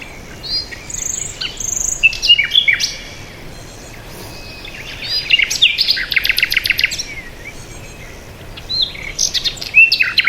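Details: Several birds chirping together: high, thin twittering, rapid trills of repeated notes and short rising whistles come in bursts with brief lulls between, over a soft steady outdoor hiss.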